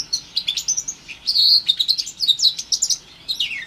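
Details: House finch x canary hybrid, Timbrado cross in orange/brown, roughly four months old, producing a rapid string of sharp chirps and a sustained buzzy trill, ending with a falling whistled slur.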